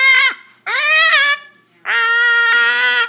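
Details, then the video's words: Pet male cockatoo showing off his singing voice indoors. Three loud, drawn-out, strongly harmonic nasal notes: the first short and dropping, the second rising then sagging, the third long and steady. "Cockatoo Singing"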